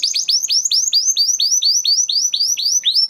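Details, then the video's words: Crested Spanish Timbrado canary, bred 2020 and kept in a flock, in training song: steady run of rising, sweeping whistled notes about four per second, bright and clean throughout. "Canary Singing Video"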